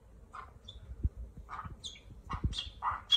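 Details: Talking parrot gives about six short, mid-pitched squawky bursts in three seconds, some with higher chirpy overtones, over soft low thumps and handling noise.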